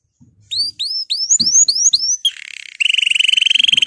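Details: Male canary excited for the breeding season sings a series of upward-sweeping whistles. These give way to a dense buzzing trill, then a fast, steady high rattle.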